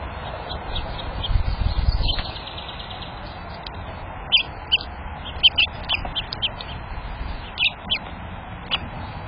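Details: Chipping sparrows in a backyard: a quick dry trill, then scattered high, sharp chips every second or so, over low wind rumble.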